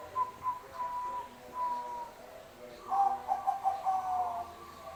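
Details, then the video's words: Singing Bangkok-type zebra dove: soft tonal cooing notes, first faint and spaced, then a louder rolling run of short notes near the end, over a steady low background hum. "perkutut Bangkok manggung gacor"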